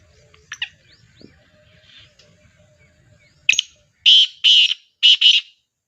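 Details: Black francolin call, played as training audio to get other partridges calling: a short harsh note, then a pause, then loud rasping grouped notes, two paired then two more, in quiet surroundings with faint chirps earlier.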